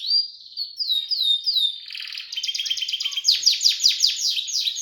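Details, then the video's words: A Harz canary, red and variegated birds, sings a continuous rolling song: soft descending whistled slurs running into rapid trills and buzzy rolls. "Harz canary sings"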